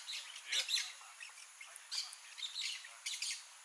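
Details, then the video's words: Blaze-winged parakeets (Pyrrhura devillei) give harsh, scratchy screeches in short bursts about every second, several birds overlapping, with faint background chatter. "TIRIBA-FOGO (PYRRHURA DEVILLEI), BLAZE-WINGED PARAKEET"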